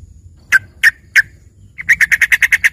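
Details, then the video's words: Yellow-vented bulbul with copied filler song resembling a green leafbird: three sharp chips spaced apart, then a fast regular string of about ten bright, bouncing notes. "dengerin suara trucukan isian ini serasa bagai punya burung cucak ijo gacor"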